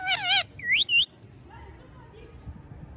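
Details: Rose-ringed parakeet giving two quick, wavering whistled calls with strong harmonics in the first second. A faint murmur of voices follows in a small room.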